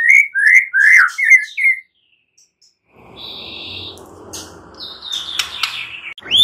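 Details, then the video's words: White-rumped shama, used to draw a response from a silent bird; a series of five quick downslurred chirps, then quiet hiss with a thin steady whistle and a final upswept note. "Murai batu BISU diJAMIN NYAUT GACOR dan FIGHTER"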